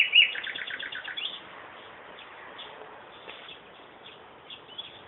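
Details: Bird song: a quick run of about ten short, high chirped notes in the first second and a half, then faint scattered notes over a steady background hiss.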